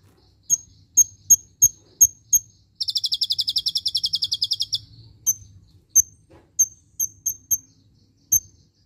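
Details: Singing kolibri ninja with cililin-shot filler for tutoring: a string of six sharp high chips, a rapid two-second buzzy trill of even notes, then more scattered piercing chips.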